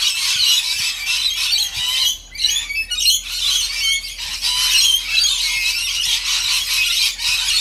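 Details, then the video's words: Rainbow lorikeets being fed keep up a dense, shrill chatter of screeches and squeals, many birds calling at once with almost no break. "Feeding the rainbow lorikeet"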